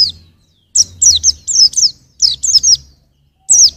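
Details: White-eye (pleci) song used as tutor material for training songbirds: rapid clusters of high, sharply falling chirped notes, about four short bursts in under four seconds, with brief silent gaps and a faint low hum beneath.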